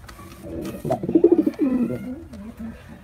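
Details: White male pigeon performing one short, deep, vibrating coo phrase that trails into softer murmuring.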